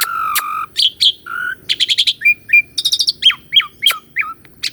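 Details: Caged Asian pied starling master song with rich variation: a long low whistle, stuttered note groups, short rising chirps and dropping slurs in rapid alternation.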